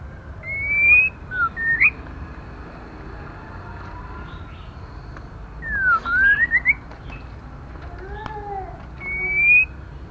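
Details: Female white-rumped shama whistling to excite males and young birds: rising whistles with short upturned notes, a V-shaped dip-and-rise phrase mid-clip, and a final rising whistle, with quieter lower tones and clicks behind.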